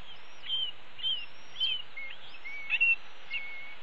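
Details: Red-tailed hawk nestlings at a nest calling for their parents at a morning feeding, as a parent brings a pigeon; thin, high whistled notes, some slurred up or down, come about every half second over steady background hiss.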